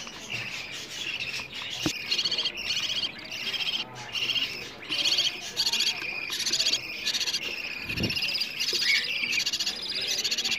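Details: Budgerigar nestlings asking for food, a recording used to stimulate budgies to breed and raise more chicks. Harsh, buzzy high calls pour out in clustered bursts over about ten seconds, with an occasional knock or tap.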